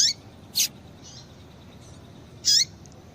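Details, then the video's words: Female Double-collared seedeater calling to stimulate a male: two loud, high chips about two seconds apart, the second with a clear falling tail, plus faint soft notes between them. "Piado de Fêmea de Coleiro Para Esquentar Coleiro"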